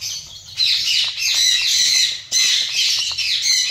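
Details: Zebra finches calling together in a colony. A loud, dense chorus of nasal, trumpet-like calls starts after a brief quiet moment and stays steady, with one short dip midway.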